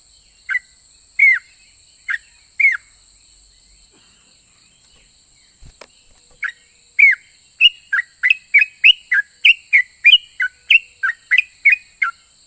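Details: Sooty-headed bulbul, a vigorous 'ropel' singer said to spur other bulbuls to answer. A few spaced whistled notes come first, then a quiet stretch with one soft knock. A fast rhythmic string of clear whistles follows over steady high hiss.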